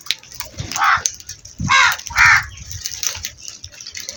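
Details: A crow gives three rough, raspy caws in quick succession, the last two close together, followed by quieter background noise.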